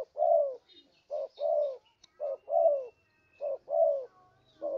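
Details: Spotted dove cooing as a lure for trapping. Each phrase pairs a short soft note with a longer descending coo, repeated about every 1.2 seconds; thin high whistles faintly in the background.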